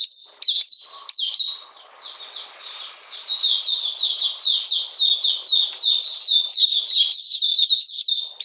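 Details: Oriental magpie-robin, a kept bird singing on a cold, rainy 13 June 2020: quick high whistles, a softer lull, then a long regular run of down-slurred notes, roughly one per second or faster.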